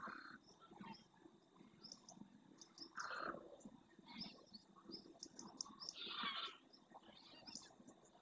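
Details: Wild greylag geese, a large wintering flock in flight returning to a lagoon in early morning light over the Doñana National Park marshes, Spain, giving scattered nasal honking calls amid overlapping chatter from many birds.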